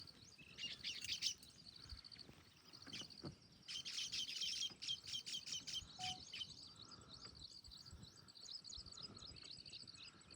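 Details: Baya weavers in the jungle of Jim Corbett National Park chatter in high, buzzy, sputtering bursts, several birds overlapping in quick rattling runs, with a thin wheezy note threading through.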